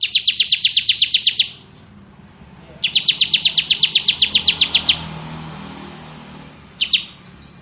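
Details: Ngebren ciblek kristal song from a bar-winged prinia, used to tutor magpie-robins: two quick buzzy trills of many evenly spaced notes, low rumbling noise in between, then a brief start of another burst.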